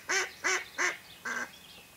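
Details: Mallard hen used as a decoy to lure wild ducks during a hunt, giving four loud, harsh, nasal quacks in quick succession, the last one softer, over a quiet background.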